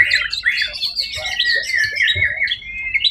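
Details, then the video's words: Competition white-rumped shama, first-place winner at the Suara Agung contest of 1 October 2023, delivering a continuous stream of sweet whistled notes and quick slurred phrases, with faint low thumps beneath. "murai batu predator juara 1 di ivent Suara Agung 1 okt 2023"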